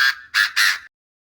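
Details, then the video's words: Francolin call played to lure birds into traps: three harsh, raspy, broadband notes in quick succession, each about a quarter second long, the last slightly longer, then silence. "សម្លេងសត្វទទា ដេញ100%"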